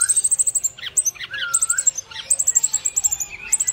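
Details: A brown-chested jungle flycatcher chirps for other birds. Very high rapid trilled bursts alternate with looping mid-pitched notes and a drawn-out level whistle, in a quick pulsing rhythm.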